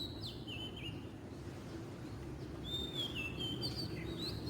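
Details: Song of a wild Oriental magpie-robin: a short whistled slur and note at the start, a quiet gap, then a longer melodious phrase of level and dipping whistles, over low ambient rumble.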